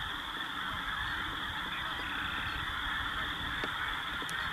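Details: Migrating snow geese gathered on the prairies of the Dakotas in spring, feeding and loafing with other waterfowl; a loud, unbroken roar of countless honking voices blends into a steady wall of sound throughout.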